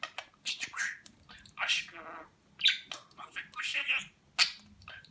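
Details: Pet budgerigar in Rize, Turkey, recorded 2020, that speaks Turkish words like "Babacık Babacık Aşkım"; thin, hissy speech-like syllables in short uneven bursts, sounding like whispered words.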